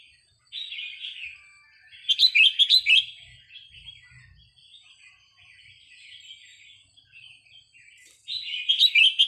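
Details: Training song of the red-whiskered bulbul for caged birds: a clear whistled phrase, a loud rapid chattering burst, soft warbling, then another loud phrase.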